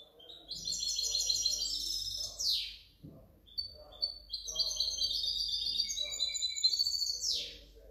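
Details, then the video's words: Goldfinch hybrid, 2019–2020, delivering continuous energetic song: rapid high chirps, buzzy trills and twitters, each phrase ending in a falling rasping sweep, with a brief pause between two long phrases. "otro mi mixto de jilguero 2019 2020"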